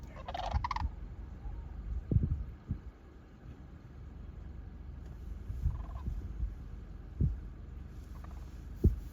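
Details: Sandhill crane at Jasper-Pulaski Fish & Wildlife Area, Medaryville, Indiana, on 22 November 2023: a brief rolling, rattling bugle at the start, then fainter distant crane calls over steady low wind rumble and handling thumps.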